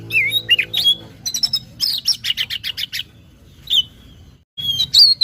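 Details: Kacer (Oriental magpie-robin) lure song, gacor style: looping whistles, then a burst of fast repeated chips, a pause, and more bright whistled notes; a low droning tone sounds at the start.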